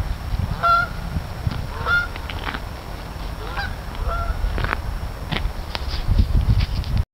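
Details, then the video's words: Many geese honk loudly in spaced, ringing calls every second or two, with rumbling low background noise growing near the end. "Geese Goings On"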